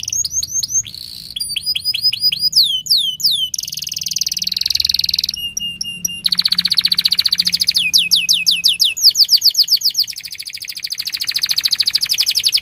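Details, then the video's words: Canary delivering a long, continuous song used to stimulate young birds: rapid whistled notes, falling slurred sequences, buzzy rolls and a sustained fast trill flowing one into another over about thirteen seconds. "kenari gacor panjang Cuit Cuit EMOSI, Pancingan Kenari Paud Belajar Bunyi"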